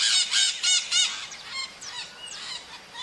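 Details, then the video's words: In nature, a maritaca parakeet opens with four loud, harsh squawks in quick succession, followed by softer, trailing raspy notes and thin downward-sweeping calls. "O CANTO DA MARITACA NA NATUREZA"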